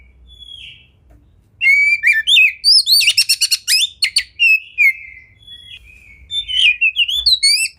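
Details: Kacer, or Oriental magpie-robin, singing a masteran training song: quiet start, then long whistled notes, buzzy rapid trills and rising and falling slurred phrases in bursts about three per second.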